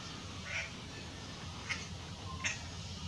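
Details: Dollarbirds (Eurystomus orientalis) perched on power lines in Australia, where they visit to breed, give three short, harsh, rasping grating notes about a second apart over a steady low background rumble.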